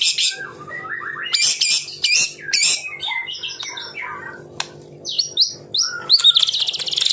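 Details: White-rumped shama, locally murai batu, with 'tembakan rapat' phrasing: harsh scratchy squawks and slurred whistles mixed together, closing in a fast buzzing trill.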